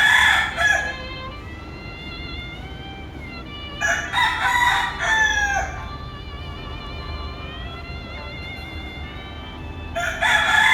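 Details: Two brother roosters crowing back and forth, as if calling each other to combat: long, drawn-out harmonic crows, one loud at the start, another around four to six seconds, and a third beginning at the end, with fainter sustained crowing between.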